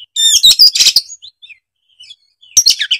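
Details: Oriental magpie-robin in excited full song, a loud burst of mixed whistles and harsh chattering, a lull with soft scattered notes, then another loud jumbled phrase.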